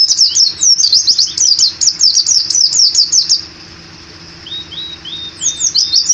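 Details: A kept white-eye sings open-beaked in the gacor ngalas ngeroll style, giving a fast rolling run of high zigzag whistled notes, then softer, lower, evenly spaced descending notes, with a faint steady hum behind.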